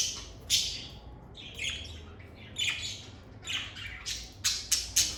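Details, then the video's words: Lovebirds in a calm, stress-free setting give loud, shrill chirps and squeaky chattering notes in irregular bursts, ending with three quick sharp chirps; a soft low hum throughout. "Lovebird Singing & Chirping Sounds"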